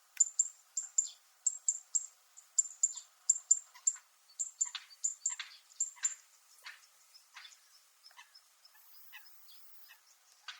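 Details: Zitting cisticola (Fan-tailed Warbler) on Miyako Island, Japan, giving a metallic call: sharp, very high clicking notes in a rapid string of about three per second, slowing and fading after six seconds.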